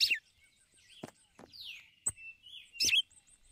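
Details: Calling female red-cowled cardinal using the ticulau call to attract the male: a loud falling chirp opens, scattered clicks follow, then a rich twisting chirp near the end, with other small birds twittering faintly.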